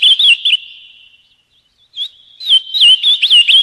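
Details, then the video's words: A short burst of warbled whistles, then a long fading steady tone and near silence before the Ultramarine grosbeak returns with quick looping notes, the song style known as azulão paraná. "Canto do azulão paraná"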